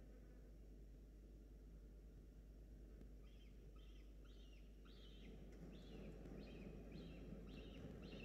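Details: A falcon chick on a university nest camera, hungry while an adult brings a starling on 21/10; after three seconds of quiet rumble, a fast series of short, high, hoarse cries repeats roughly three times a second, growing slightly louder.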